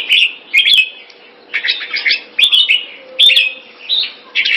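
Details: Kept red-whiskered bulbul from Singapore giving keke on command: separate short bursts of chattering warble, spaced by brief pauses, with a faint low hum and occasional clicks.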